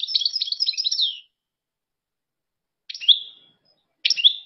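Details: Algerian European goldfinch delivering a fast, liquid twitter of high tinkling notes for over a second, followed by two brief separate chirps ending in downward-sliding whistles, with quiet gaps between.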